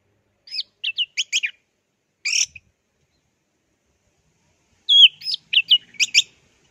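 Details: Orange-headed thrush from a masteran recording in the plong and teler style: short phrases of clear whistled slurs and quick notes, one brief burst, then after a pause a louder phrase of varied rising and falling whistles.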